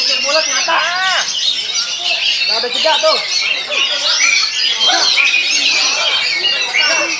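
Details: Oriental magpie-robin singing at a bird contest in Banten: a dense, high run of sweet whistles and chattering trills with no pause, over men's voices calling and shouting nearby.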